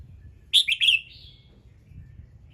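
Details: A red-whiskered bulbul's morning song, played to set other birds singing: a sharp three-note whistled phrase followed by a softer drawn-out whistle, with faint low background noise.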